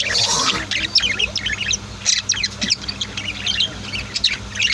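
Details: Budgies and lovebirds kept as pets indoors chatter in rapid, thin, high chirps that overlap almost without pause, over a faint constant low hum.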